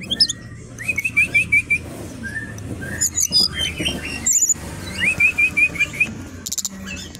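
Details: Brown-chested jungle flycatcher, originally from Bali, kept at a kiosk and singing energetically: two strings of quick, looping whistles, each of about five notes, with thin, very high squeaks between them.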